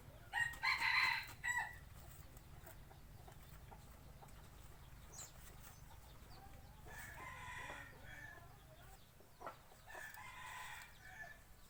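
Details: Decoy rooster crowing, kept for hunting trips in the forest: one loud, harsh crow of about a second near the start, then two fainter, more distant crows later over a steady low hum.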